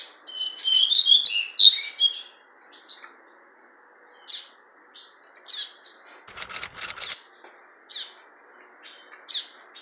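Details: A fawn-coloured double-collared seedeater kept in captivity opens with a dense burst of warbled high notes, then scattered short sharp chips and brief phrases, with a low background hum.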